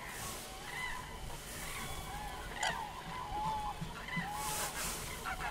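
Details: Distant common cranes giving repeated bugling, slightly rising calls from more than one bird, irregularly spaced, with faint low rumble and hiss.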